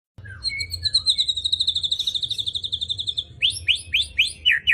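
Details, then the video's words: White-rumped shama, described as in full vigorous song and ready for song competition; a long rapid trill of bright high notes repeated quickly, then a series of sharp, descending whistled slurs, with a faint low hum beneath. "murai batu gacor siap untuk di lombakan"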